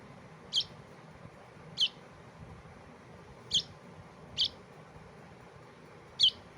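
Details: Young bulbul chick calling with five sharp, high-pitched chirps, each brief and dropping slightly in pitch, repeated at uneven intervals of roughly one to one and a half seconds against a quiet hiss.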